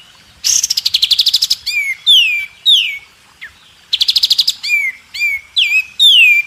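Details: White-rumped shama (murai batu) song used as a training recording (masteran) for other songbirds to learn: bursts of rapid buzzy trills alternating with clear whistled notes sweeping down, each phrase separated by brief pauses, no other sounds.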